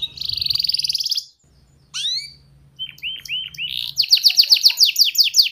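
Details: Canary song used to train young canaries: a steady buzzy trill, rising whistled sweeps, short slurred notes, then a fast repeated high trill, over low hum.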